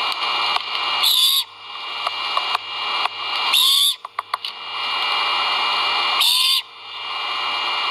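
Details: Great horned owl nestlings vocalizing during feeding at a nest filmed by live camera at Skidaway: three rasping screeches with a curved tonal element, plus a cluster of quick clicks, over persistent background noise.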